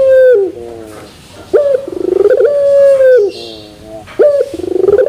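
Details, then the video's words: Puter pelung dove sings repeated coos: a falling opening note, a fast rippling stretch, then a long steady metallic-sounding final note, with a faint high chirp in the background. "Puter Pelung Terasan Bermetal"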